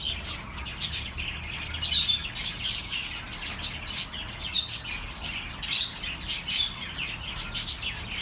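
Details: Budgerigars chirping as relaxing audio for lonely pet birds: busy high chatter of scratchy squawks and thin whistles, louder bursts every second or so, several birds at once, faint low rumble.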